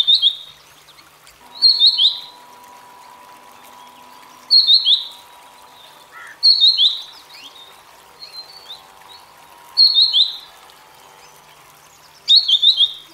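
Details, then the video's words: Singing grey-headed canary-flycatcher, an Asian bird: a series of brief high sweet warbled phrases given every two to three seconds, with a low steady tone in the background. "Grey Headed Canary Flycatcher Singing"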